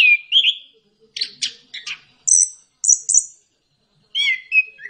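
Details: Orange-headed thrush song used as a lure to get lazy birds singing: short bright whistled phrases, some slurred and falling, others high thin notes, separated by brief silences.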